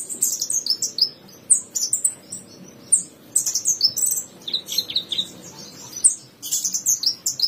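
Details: Javan bushlark singing in a 2022 tutor recording for caged birds: lively high twittering, with downslurred whistles and sharp chips in dense bursts, each burst lasting about a second, with brief pauses between.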